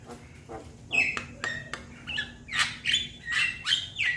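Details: Young Javan myna calling its companions. Soft clicks build into a series of harsh, buzzy squawks about every half second, getting louder toward the end.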